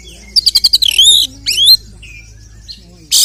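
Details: Oriental magpie-robin, called kacer, singing a provoking fighting song aimed at other males: five fast, even, high ticks, a drawn-out rising whistle, another upward sweep, then a harsh burst at the close.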